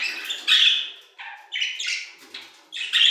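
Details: Budgerigars singing in an aviary: bursts of harsh, buzzy chatter with squawky notes, a lower nasal note near the middle, the phrases separated by short gaps.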